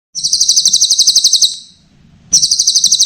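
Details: Mountain leaf warbler song, used as a training recording for songbirds: a rapid, high, metallic trill of even notes lasting about two seconds. It breaks off, then starts again.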